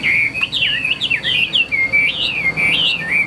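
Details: Caged fighting Chinese hwamei singing in the ngũ trường style. A bright, unbroken chain of looping whistled notes that wobble up and down, loud and clear over faint low hum.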